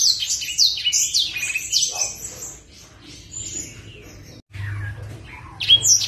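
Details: Sunbird, a blacksang master bird in strong song, opens with a rush of shrill, quickly repeated twittering notes, then fades to scattered thin calls before a last sharp high phrase, over low hum.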